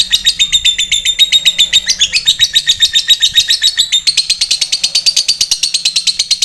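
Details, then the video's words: Fighter lovebird giving a long ngetik-ngekek chatter, used as a lure to provoke rival lovebirds into answering; fast, steady rattling series of high buzzy notes, about seven per second, running unbroken and shifting slightly higher partway through. "Suara lovebird ngetik sambung ngekek panjang, cepat direspon lawan"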